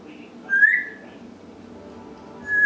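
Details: Pet African grey parrot indoors making noise: one clear whistle that rises then levels off, followed after a pause by a second whistle starting at the end, over a low room hum.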